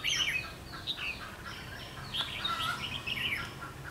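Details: Decoy red-whiskered bulbul singing a challenge while trapping wild birds on 21 March 2016, giving lively chirped and slurred whistle notes in rapid overlapping phrases over soft background noise.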